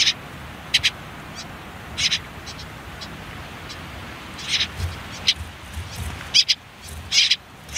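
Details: Common whitethroat nestlings on their final day in a nest by a river, hidden under reeds and nettles: scattered short, hissy bursts at irregular intervals over a quiet steady background.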